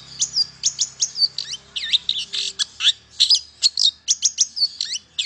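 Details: Long-tailed shrike singing, meant to encourage silent shrikes to sing: a fast, continuous babble of slurred whistles, twangy upsweeps and scratchy notes packed closely together throughout.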